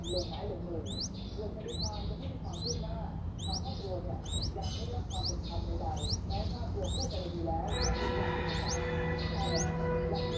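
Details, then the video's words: Five-day-old Streak-eared Bulbul chicks recorded in Ubon Ratchathani, Thailand, on 7 April 2023, giving a steady run of high, upward-sweeping squeaks several times a second over low murmuring noise. "นกปรอดสวน อายุ 5 วัน : Streak-eared Bulbul (Pycnonotus blanfordi)"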